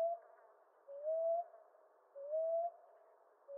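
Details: A common ground dove (Columbina passerina) gives soft, low, rising hoots, each about half a second long and repeated roughly every 1.3 seconds, over a faint steady hiss.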